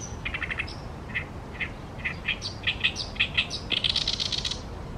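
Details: Oriental reed warbler singing at the Tama River: harsh, chattering chirps repeated in uneven bursts, ending in a denser, buzzy run of higher notes, over a steady low rumble.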